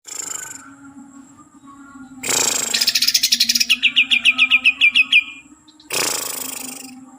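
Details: Green leafbird (cucak ijo) from Kalimantan: a rapid run of about eleven bright, downward-slurred chirps, preceded and followed by harsh, hissing bursts, with a steady low hum underneath.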